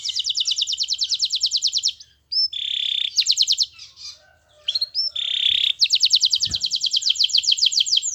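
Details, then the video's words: Canary master song used to set other birds singing: fast rattling trills, a flat sustained whistle, brief pauses, then a long high trill resuming near the end, with faint low hum underneath. "MASTERAN KENARI GACOR Yang Lain Agar Ikut GACOR"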